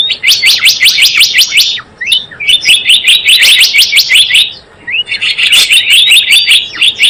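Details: Java sparrow call used as a trapping lure: bursts of rapid, bright chirps repeated about 160 times a minute in dense chattering runs, broken by short pauses.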